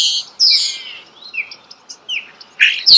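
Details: Starling song recorded close up in nature: harsh, hissing high bursts alternating with short whistled slurs and brief chirps, separated by quiet gaps.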